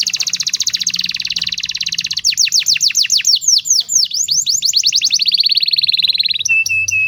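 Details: Young-bird training song from a canary: a dense rapid trill runs into bold falling sweeps, then a smoother fast roll, ending with a few short steady whistles.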